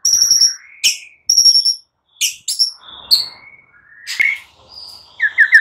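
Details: White-rumped shama singing in the morning as a stimulus for silent birds: scattered high ticking notes, upward-sweeping whistles and short slurs, finishing with a quick run of rolling notes.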